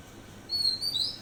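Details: An Oriental magpie-robin calling at dawn gives clear, high whistled notes, a thin rising whistle followed by a brighter burst, over quiet background hiss.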